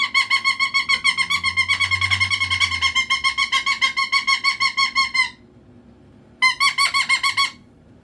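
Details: Pet cockatoo indoors calling for attention: a rapid run of harsh, nasal, squeaky notes about three per second for five seconds, a pause, then another short burst.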